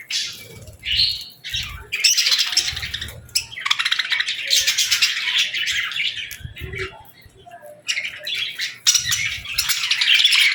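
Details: Young budgerigars with lovebirds at feeding time, feeding and interacting; bursts of bright, rapid chirping and scratchy squawks alternate with short quieter gaps, with faint low knocks underneath.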